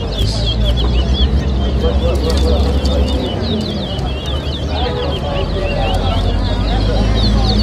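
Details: Chestnut-bellied seed finches (towa towa) in a whistling competition between two caged birds at Lusignan, Guyana, 2023: rapid high warbled and twittering phrases run almost continuously, over a loud low rumble of crowd noise and a busy background.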